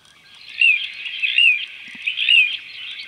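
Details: Little ringed plover calling in the background while a wood sandpiper bathes: three clear, high, downslurred 'pee-oo' whistles about one a second, over a dense, steady chorus of high chirping.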